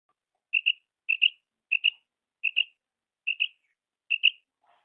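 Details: Female common quail call, used as a lure for hunting quail in ripe wheat: clean, sharp double notes, each pair quick and high, repeated six times at roughly 0.6-second intervals against a silent background.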